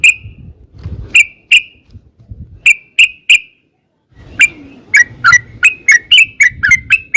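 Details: Yellow-vented bulbul in a long lure song: scattered sharp single chirps over low background rumble, a short silence, then a quickening burst of bright, slightly falling chirps.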